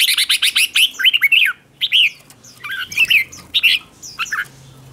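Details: Red-whiskered bulbul competition singing, a decoy song to call other bulbuls: dense rapid phrases of slurred whistled notes and chirps, brief pause, then further broken chirping phrases, no other clear sounds.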